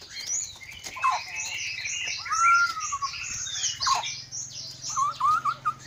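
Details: Caged white-rumped shama of the Aceh Leuser strain from Aceh, Indonesia, bred for contests: dense high chattering overlaid with clear gliding whistles, over a faint steady background hum.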